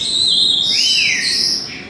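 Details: Ozzy, a pet African grey parrot in a rescue's bird room shared with Senegal and hawk-headed parrots, gives a clear, high whistled call that holds steady, then dips and slurs downward over about two seconds.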